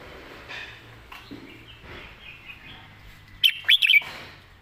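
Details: Red-whiskered bulbul, in the 'master song' singing style: soft, indistinct warbling and background murmur at first, then a sudden loud cluster of four bright, fluttering whistled notes near the end.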